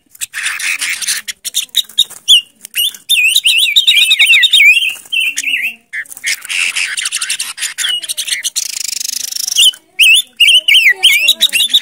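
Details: Warbled song of a silver-eared mesia used as a decoy: long strings of looping, wavering whistles, interrupted midway by a burst of harsh, buzzy chatter, then more rolling whistled phrases.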